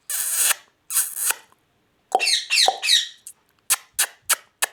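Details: Indian ringneck parakeet kept at home, giving broad, grating squawks. A pause is followed by wavering, harmonic-rich screeches, then a run of short, sharp clipped calls.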